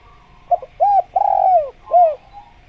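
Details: Spotted dove (tekukur) series: two quick soft notes, a short coo, a long descending coo, and a final arched coo, mellow and low, with steady background hum.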